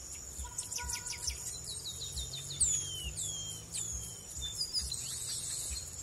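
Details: Brazilian chestnut-capped blackbird giving high, sliding chirps and short whistled notes in loose phrases, set against a constant shrill background tone and faint low knocking.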